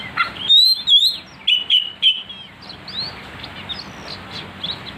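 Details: Provoking song of an oriental magpie-robin, played to stir other magpie-robins into fierce singing. Several strong piercing whistles come in the first two seconds, followed by softer, quieter warbled notes.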